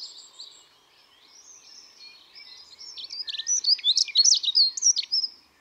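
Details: Dunnock song: after faint high background notes, a rapid tinkling, jumbled warble builds and runs for about two and a half seconds, high-pitched and hurried.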